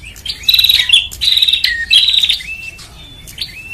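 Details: Lure call of a bar-winged prinia, meant to gather birds: three harsh buzzing phrases in quick succession, each ending in a downslurred note, then fainter thin whistles trailing off.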